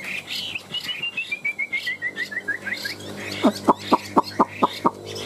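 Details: Caged Chinese hwamei, one of two tame birds in a fighting-song contest, gives a fast descending string of short whistled notes, then about seven loud clipped repeated notes.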